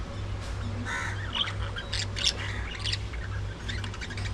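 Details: Early morning feeding time for a group of budgerigars: irregular raspy squawks and quick chirps, some louder bursts mid-way, against a continuous low hum.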